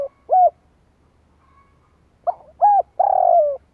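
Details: Spotted dove lure call meant to provoke wild doves (kích bổi). One arched coo, a pause of nearly two seconds, then a full phrase: a soft lead-in note, a clipped coo, and a drawn-out, gently falling, rolling coo.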